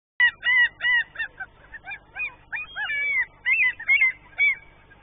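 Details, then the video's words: Common gulls calling in spring give a rapid, irregular series of high, nasal, mewing calls, each a short arched squeal, about a dozen in five seconds. "Kalalokkien keväistä ääntelyä"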